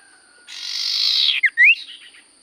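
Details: Common iora in active song: a long drawn, hissing rasp lasting about a second, followed at once by a short downslurred note and a rising whistled note.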